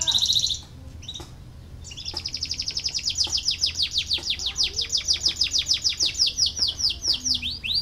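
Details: Canary song for prompting reluctant canaries to sing: a brief high trill, a pause, then a long run of rapid rising-falling whistled notes, repeated quickly and evenly, ending in a sharp upslurred note.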